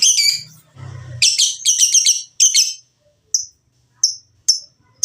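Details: Lovebird sounds meant to provoke singing: clustered harsh high chirps and rough chatter, followed by short sharp single squeaks spaced about half a second apart, low hum briefly in between.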